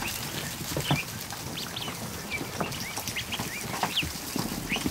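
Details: Newly hatched ducklings, over a hundred, in a kiddie pool inside a barn one afternoon; scattered high, short peeps, some rising or falling, overlap against a steady background of splashing water and soft bumps.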